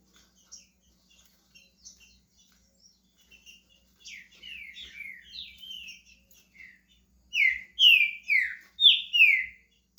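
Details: Green-winged saltator, pet bird in Brazil, warming up with faint chirps and whistles, then a strong run of five loud downslurred whistled notes at the end.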